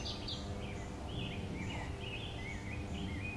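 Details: A male mourning warbler sings a series of rich, slurred, churring notes at a mid-high pitch on 25 May 2015 at a migrant trap in Omaha, Nebraska, with a steady low rumble partly masking it.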